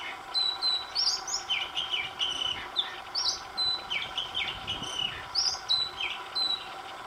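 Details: Oriental magpie-robin singing, recorded over several days with a new tune each day: varied clear whistled phrases, sharp high notes alternating with slurred lower whistles, repeated roughly every second over a steady background hum.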